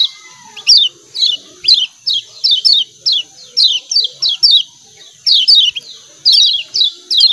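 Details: Rapid, repeated 'ciak ciak' chirps of a lemon-bellied white-eye, each high and falling, grouped in twos and threes with short breaks, above a low, constant hiss.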